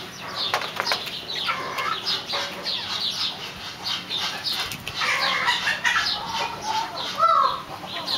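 Swinhoe's pheasant gives a busy run of harsh, clucking and chattering notes, with whirring wing flutters and a louder squealing call near the end.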